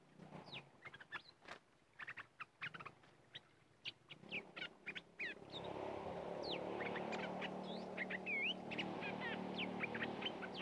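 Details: Red-whiskered bulbuls, called aggressive locally, around a decoy: rapid clipped chirps at first, then clear rising and falling whistled notes as a loud rushing background noise sets in and persists.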